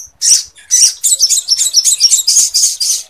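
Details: Lovebird, kept for training birds and stimulating breeding readiness, giving a rapid run of harsh, rasping, high chattering notes, roughly two per second, in a steady buzzy stream with no other sounds.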